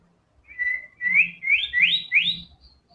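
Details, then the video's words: Murai batu, or white-rumped shama, used to lure other songbirds into singing. It gives a series of five clear whistles, each sliding upward, at intervals of about half a second, over soft low thumps. "TEMBAKAN MURAI BATU GACOR BONGKAR SEMUA ISIAN FULL FIGHTER"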